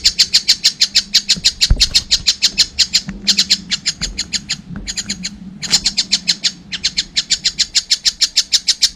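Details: Collared kingfisher youngster calling in bursts of quick, harsh high notes, the series broken by short pauses, with faint knocks and low background hum.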